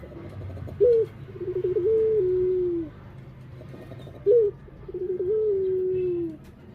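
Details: Barbary dove (puter) cooing twice: each phrase opens with a short sharp upslurred note, then a quick stuttering roll that settles into a long, low, gently falling coo, about three seconds apart.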